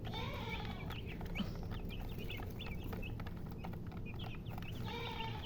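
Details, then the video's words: Chicks peep repeatedly beside a hen whose low clucks open and close the clip, all over a steady low hum. "silly chicken chirping sounds with murgi hen color chicken"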